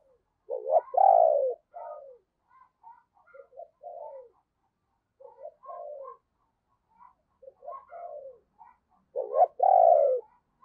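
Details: Captive lure spotted dove giving rushing and crowing coos to call in wild doves: a loud husky double coo, scattered softer short notes, then another strong coo near the end, quiet background.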